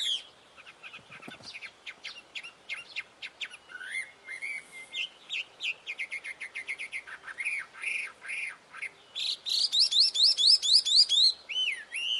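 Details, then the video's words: Wambi in lively, melodious song: ticking clicks first, then varied chirps and whistles that build to a rapid bright trill and sweeping notes. "SUARA GACOR DAN MERDU BURUNG WAMBI"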